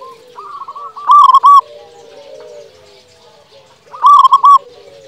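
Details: Zebra dove of local stock singing strongly as a lure for silent birds: two loud, bubbling trilled coos about three seconds apart, linked by low, soft cooing.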